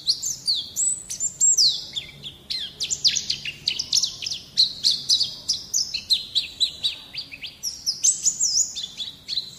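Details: White-eye song played as a training recording to get young birds to sing: a rapid run of high, sharply downslurred chirps and short warbles, densely packed and continuous throughout.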